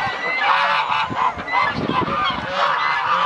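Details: A large flock of geese waking on a sunny winter morning in Dalen honks continuously, with many nasal, overlapping calls blending into a steady, noisy chorus.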